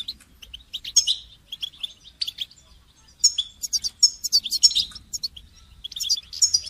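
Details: Goldfinch song for training songbirds: jangling, high twitters in uneven bursts, growing denser and louder in the second half, over a low background hum.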